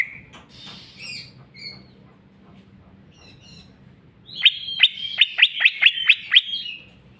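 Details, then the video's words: Greater green leafbird in full jamtrok song showing its fill: quiet scattered whistles at first, then a loud rapid series of about eight sharp, downward-flicking notes. "cucak ijo mewah ful jamtrok bongkar isian"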